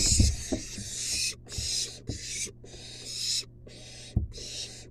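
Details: Begging of a wild barn owl nestling receiving a long-tailed rat from its mother in a nest box: six drawn-out rasping hisses, each about half a second, separated by brief gaps, with soft knocks and thuds.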